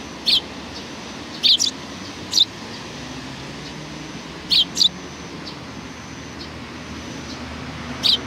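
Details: Welcoming sparrows recorded 27 July 2020 give short, sharp chirps, sometimes in pairs, at intervals of about a second or more. A steady background hiss continues between them.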